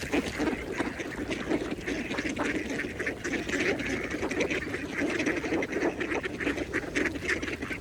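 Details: Feeding mallards at a pond keep up a constant, evenly dense stream of short nasal quacks and chatter, many birds calling together over quiet water.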